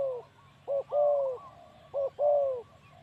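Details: A male spotted dove serving as a ground decoy gives two soft coo phrases, each a brief note followed by a drawn-out, level, mellow coo. A faint low hum runs underneath.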